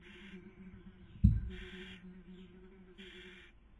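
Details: Barn owl nest in Cabañeros National Park, Castilla-La Mancha, Spain, during the 2020 breeding season, female feeding, male trying to sleep; a loud bump is followed by two drawn-out rasping hisses over steady hum.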